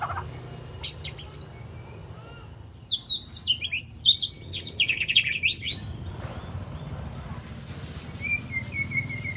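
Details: Spotted white-rumped shama fledgling of three months learning its song with besetan and sharp tembakan bursts: a brief high note, a pause, then a fast tumbling run of high sweeping chirps, and a thin whistle near the end.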